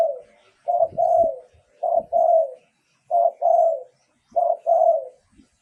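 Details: Luring song from a spotted dove, voice clear. Five repeated phrases, each a short coo followed by a longer drawn coo, spaced about a second apart, with soft thumps of movement underneath.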